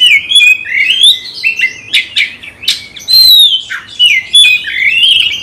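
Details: Kacer, a caged magpie-robin goaded by a rival, sings clear fluting whistles and slurred glides between harsh rasping notes in continuous short phrases.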